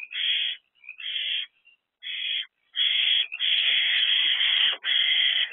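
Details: Three owlets staying in their nest box, 13 April 2024: a run of short harsh screechy hisses that merges into one long continuous rasp lasting nearly two seconds, then another burst.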